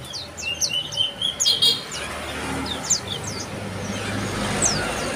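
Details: Bar-winged prinia giving sharp, high descending chirps, bunched in a rapid burst at first, then sparser single notes, with a low rumble and steady hiss behind.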